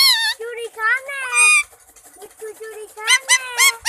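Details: Green rose-ringed parakeet, a pet talking parrot in Pakistan, speaking Urdu words "main mithu"; harmonic, speech-like phrases with squeaky high parts, some rapid rising syllables near the end.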